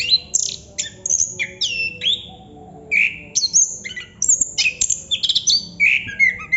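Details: Nonstop 'ngerol' song of a chestnut-capped thrush (anis kembang): varied loud phrases of slurred whistles dropping in pitch, interspersed with rattling clicks and brief pauses between phrases.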